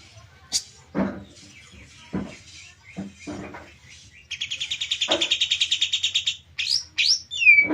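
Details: White-rumped shama said to be in overexcited breeding condition: several low knocking thumps first, then a rapid run of high repeated notes, followed by a few sharp upward-swept whistles.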